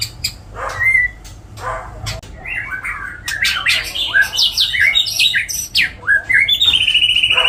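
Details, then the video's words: White-rumped shama with cililin, jenggot and kapas tembak fills: scattered clicks and rough notes build into a loud jumble of varied whistles and slurred sweeps, ending in a steady high trill. "MURAI MATERI MEWAH ISIAN CILILIN NYAMBUNG JENGGOT NYAMBUNG KAPAS TEMBAK"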